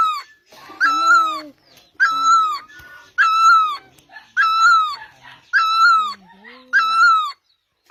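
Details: Song of the great barbet: six rich, resonant notes, each held and then sliding down, delivered at an even pace of about one per 1.2 seconds, with faint lower calls between them.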